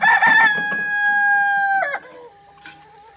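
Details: A rooster's crow holds a long, steady, ringing note for nearly two seconds, then breaks off sharply. A quieter, lower tail follows.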